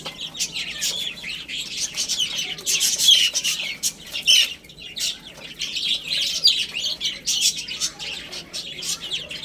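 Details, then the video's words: Baby chickens feeding and playing together, a busy chorus of thin, shrill peeps tumbling over one another almost without pause, now louder, now softer. "Cute Little Chicks Chirping Sounds"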